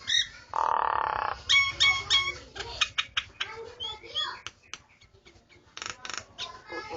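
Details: A person's own starling singing: loud, varied chattering phrases of short whistled and buzzy notes, with a burst of broadband noise near the start and sharp clicks between phrases.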